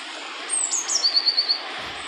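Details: Song phrase of a European robin, recorded in Wales, United Kingdom, in 2014: a very high thin note gliding downward, then a short even trill of six quick repeated notes, set against steady background hiss.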